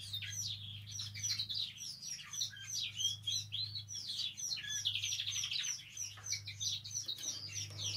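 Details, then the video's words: Singing canary, a recording meant to stimulate other canaries into song: a continuous, rapid stream of high twittering and warbled phrases that rise and fall, over a faint low hum. "Canario Cantando. (Ideal para ESTIMULAR canto de canarios)"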